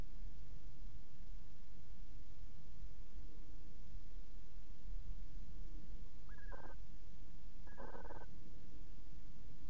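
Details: Barn owl, one of a male and female pair sitting together in a nest box at night (21:55, 13 December 2018), gives two short, harsh, hissy calls about a second apart near the end, over a steady low background rumble.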